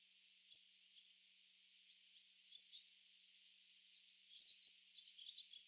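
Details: A flock of barn swallows gathering in a tree, chirping together: overlapping high twittering notes in scattered bursts, rising and falling in intensity, with a few faint low clicks in the background.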